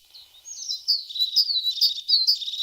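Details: Brief, lively tit song: a thin, high whistle leading into a fast run of slurred, falling notes and bright chirps, all delivered in under three seconds.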